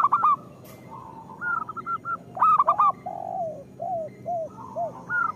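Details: Local zebra dove in lively song, used as a lure to prompt lazy or moulting doves to sing: soft, rolling cooing phrases broken into short staccato notes, with brief sharper chirped bursts between, repeating across several phrases over a faint background hiss.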